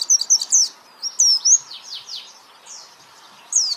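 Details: Brief white-eye training song of loud, piercing whistles sweeping downward, several in quick pairs, then softer falling notes, a lull, and one more bright whistle at the end.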